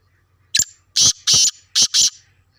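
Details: Black francolin (kala tetar), a two-year-old bird, gives a harsh, grating call: one short sharp click followed by four loud, rasping bursts in two pairs, all within about a second and a half, over quiet background.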